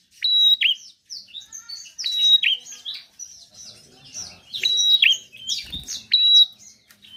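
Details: Bar-winged prinia (prenjak) in lively, prolific song, used to prompt reluctant birds to sing: bursts of sharp high chirps and twitters, each phrase carrying a bright sustained whistled note, about four phrases.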